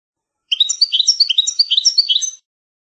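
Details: European goldfinch singing the traditional original song style from a rare old tape: a two-second burst of fast, tinkling twitters and short buzzy trills in quick succession, bright and high, with a clean silent background.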